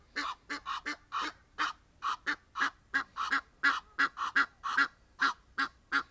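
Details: Egyptian geese calling outside with an irregular, jostling string of about seventeen hoarse honks, some closely bunched, others spaced apart.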